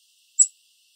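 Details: A black-capped chickadee hidden in a bush in Southern Ontario, Canada, gives one soft, very quiet, very high, thin chirp lasting a split second, with silence before and after.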